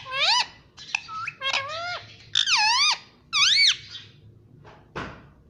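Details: Pet Indian ringneck parrot saying "mummy mummy": four loud, arched, nasal syllables in separate bursts, each rising then dropping in pitch, followed by a soft click.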